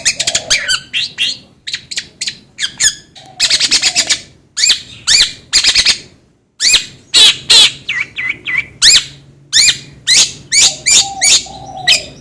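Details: Varied long-tailed shrike song, played to make another bird sing: clusters of harsh raspy notes alternating with quick downslurred whistles, brief gaps between phrases, and a soft low tone now and then.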